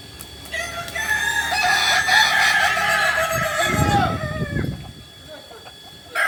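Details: Kokok Balenggek chickens at crowing practice in Ampang Kualo, Solok, West Sumatra. A sustained loud crow with many stacked tones fades out, low clucking rumbles underneath, and a new call begins at the end.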